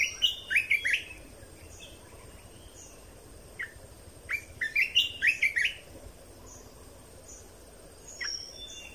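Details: Song of a red-whiskered bulbul, used to tutor young birds and stir birds up: loud bursts of bright, bubbly whistled notes in short clustered phrases, a pause, then another rapid warbling phrase and a final brief note.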